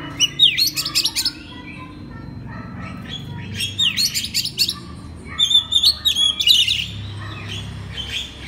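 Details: Oriental magpie-robin master song used to train other magpie-robins: varied high whistled phrases, sweeping and trilled notes in bursts with short pauses, over a steady low background hum.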